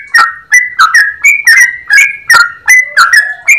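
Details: Yellow-vented bulbul delivering a long ropel song with a clear voice: quick, bright whistled notes, roughly two to three per second, each gliding slightly, some rising at the end, recorded close.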